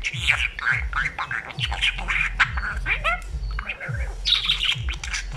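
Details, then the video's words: A talking pet budgerigar chatters without pause in a fast, scratchy warble of clicks, squeaks and rising whistled slurs, over a low steady hum. "grasparkiet lekker aan het kletsen. talking budgie"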